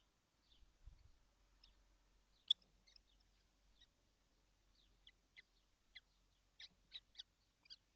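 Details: Kestrels, all seven, in a nesting box while it is hot, 12 June 2025. Faint high chirps at first, one sharp click, then clearer short squeaky calls toward the end, over a low rumble.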